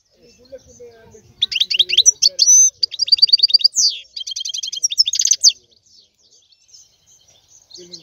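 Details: European goldfinch song of quick, chattering, high notes, twangy slurs and a fast trill for about four seconds, with quiet low sounds before and after.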